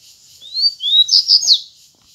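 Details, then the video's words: Wild double-collared seedeater singing the grego song style against rivals after being drawn in by playback: a quick phrase of high whistled upslurs, then a run of three or four sharp, bright notes, ending with a falling slur. "COLEIRO GREGO NA NATUREZA DISPUTANDO CANTO"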